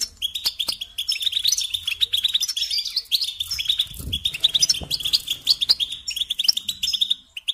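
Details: Long stretch of goldfinch song: dense, chattering twitters and ringing chirps poured out continuously, with occasional higher sharp notes and a faint low thud near the middle.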